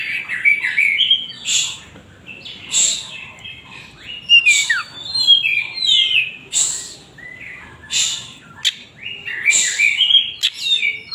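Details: White-rumped shama song made of varied whistled phrases and sharp chirps broken by harsh noisy bursts, with a soft background hiss throughout.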